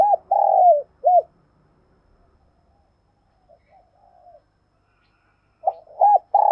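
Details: Spotted dove kept as a decoy to lure wild doves. A low, soft cooing phrase with a long slurred note and a short final coo opens. After faint murmured coos and a pause, the phrase returns.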